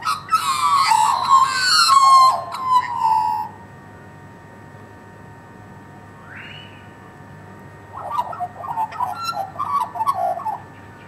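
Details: A flock of about twenty neighbourhood Australian magpies being fed meat beside a bone: rich, overlapping gargled whistles sliding downward for several seconds, a single rising squeak, then quieter warbling chatter.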